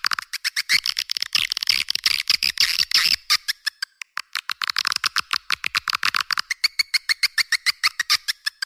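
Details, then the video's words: Swiftlet calling sound used to attract swiftlets: dense, rapid trains of sharp clicking chirps, buzzy and frantic for the first three seconds, then separating into quick regular ticks with brief twittering phrases, all high-pitched with no low sounds. "Suara Burung Walet Panggil"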